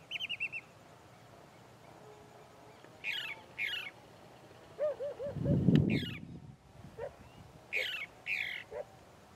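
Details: Chalk-browed mockingbird song from the Bahia sertão, Brazil: a varied string of short phrases, raspy high downslurred double notes and a quick run of lower looping whistles, interrupted midway by a loud low thump of handling noise.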